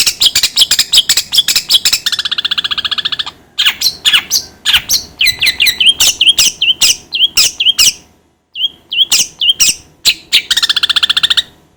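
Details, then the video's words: Long-tailed shrike lure song to make other birds sing soon: rapid, dry, ticking notes, a sustained buzzy trill, then a run of short downslurred whistles repeated at a steady pace, finishing with another harsh trill. "PANCINGAN CENDET AGAR CEPAT gacor"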